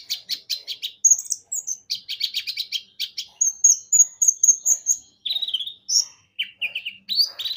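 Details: Lively lure song of a Javan white-eye, meant to prompt birds to sing: quick bursts of high, clipped chirps repeated in short runs, thin sustained whistles, and scratchy twittered phrases with almost no pauses.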